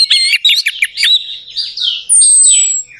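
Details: Orange-headed thrush singing, used to stir a bird that has stopped singing: a quick burst of looping whistled notes, softer slurred phrases, then a long high, slightly falling whistle.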